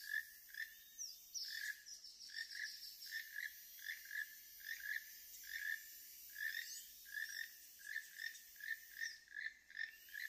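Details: A loud pair of keel-billed toucans perched overhead in Panama give harsh, frog-like croaks, more than one a second and often overlapping, over a calm hiss of insects.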